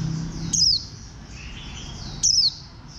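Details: Warbling white-eye producing a pair of loud, high, down-slurred chirps roughly two seconds apart over a continuous hissing background.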